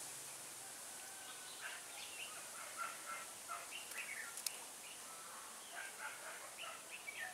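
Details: Red-whiskered bulbul used as a decoy, singing competitively to lure wild birds into a trap, dated 4-12-2016. Faint, scattered short warbled and whistled phrases come and go over steady background hiss, with a single sharp click midway.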